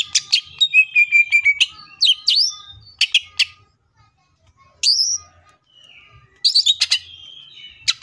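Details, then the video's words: Green leafbird delivering varied 'tembakan' song: fast chattering notes, a short level whistled trill, bright upslurred whistles and harsh bursts, separated by brief quiet gaps with faint soft notes. "CUCAK IJO FULL TEMBAKAN❗MATERI BANYAK MANA MUNGKIN IJO KALIAN TIDAK IKUT GACOR!"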